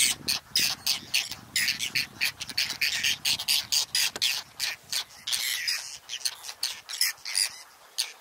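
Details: Nesting whiskered terns adjusting their nests in a colony on lotus and water chestnut beds, Astrakhan State Nature Reserve, Russia, 22 July 2017. A steady, fast stream of rough, high, rasping cries comes from numerous birds.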